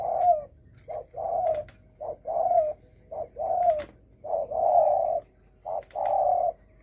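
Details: Spotted dove calling in the 'dong tho sam' manner to challenge other doves: five short-long pairs of mellow hoots, the long notes steady and slightly falling, with scattered clicks between them.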